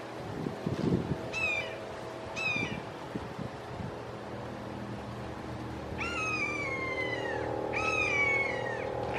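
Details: Red-shouldered hawks, a trio in a Florida backyard, calling emphatically; two shorter slurred screams early, then two long, loud descending screams of about 1.5 seconds each, over steady low background noise.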